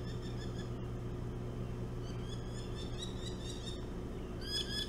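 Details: Merlin from a pair nesting on Hog Island, swooping at a person near its nest on 25 July 2017: a rapid laughing series of sharp, harmonic chattering notes, repeated in short bursts over a steady low engine hum.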